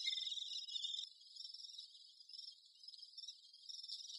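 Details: Great spotted woodpecker at work with its young. A continuous shrill, rasping chatter runs throughout, starting louder and then settling into a softer, unbroken high buzz.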